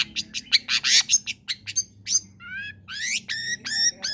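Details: Long-tailed shrike (cendet) song used to prompt reluctant shrikes to sing: a fast run of harsh, scratchy notes, then a series of clear, stacked, slightly rising whistled calls repeated about every third of a second.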